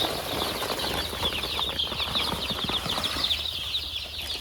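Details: A box of poultry-farm chicks huddling in cold weather, loud and close: a continuous mass of piercing, rapidly repeated peeps, many birds calling at once, with faint low rumbling underneath.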